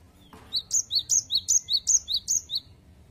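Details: Energetic 'wucit wucit' singing from a gelatik batu (cinereous tit): ten evenly spaced, shrill high two-note whistles at a steady brisk tempo across two seconds, clean and loud against near silence.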